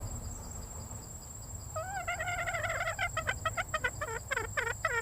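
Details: Female red junglefowl calling: after a quiet start, a rapid series of harmonic, downward-bending notes repeats about three to four times a second and grows louder. A steady high insect drone runs throughout over a low rumble.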